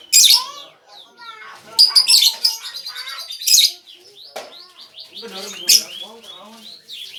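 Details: Lovebird singing, used as a lure for other birds: loud, shrill, chattering squeaks and scratchy trills in dense bursts, with lower warbling notes toward the end.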